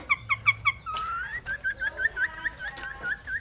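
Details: Aggressive Long-tailed shrike, singing as if seeking a rival: four sharp high chips, then a long rising whistle, then a run of short warbled, slurred phrases repeated quickly at mid pitch, with faint high clicks behind.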